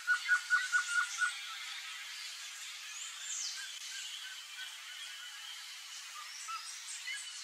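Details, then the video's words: Pair of Blue-crowned Trogons (Trogon curucui): a quick series of five or six soft, mid-pitched notes in just over a second, then fading into faint background chirps and rustle. "SURUCUÁ-DE-BARRIGA-VERMELHA Casal (TROGON CURUCUI), BLUE-CROWNED TROGON"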